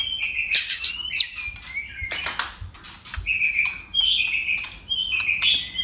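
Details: White-rumped shama singing in competition with many voices. Sharp clicks and flutters come first, then short whistled phrases repeat about once a second.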